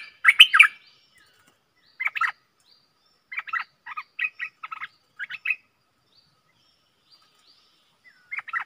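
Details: Stripe-throated bulbul kept in a cage, recorded 7 June 2021 as a training recording: brisk, liquid chirped phrases of two to four notes, separated by short pauses, with one louder burst at the start.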